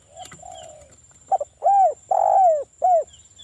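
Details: Local spotted dove used as a lure bird, cooing: a quick stuttered note, then three mellow, hollow coos that swell and fall, over a faint, steady high whine.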